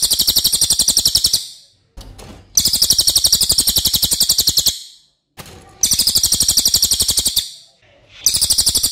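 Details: Racket-tailed treepie with a loud, long voice, used to tutor other cage birds: three long bursts of rapid scratchy chattering, around four notes per second, separated by brief silences with faint knocks.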